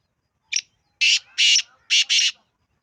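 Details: Kala teetar, the black francolin, calling once: a brief thin note followed by four rasping, buzzy bursts, the third and fourth run close together, in a quiet setting.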